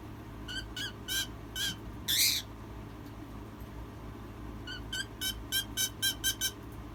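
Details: A hen making baby-like noises and crying: high, down-slurred peeps, one louder drawn-out wailing cry, then a fast closing run of six or seven evenly spaced peeps, all over low steady indoor hum.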